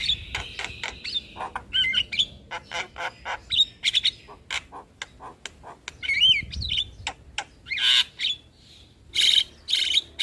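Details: Javan myna master recording with full fill-ins for young mynas: a rasping wavering opening, then scattered clicks, looping whistles and loud squeaky bursts recurring every second or two.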